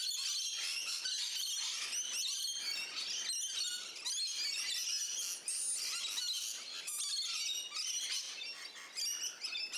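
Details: Garden flock of rainbow lorikeets, Central Coast, New South Wales, Australia: loud, unbroken shrill screeching and chattering from several birds, harsh notes tumbling over one another for ten seconds.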